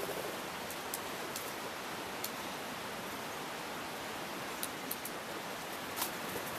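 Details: Steady hiss in a snowy park with a few soft, scattered ticks and rustles, and no animal calls.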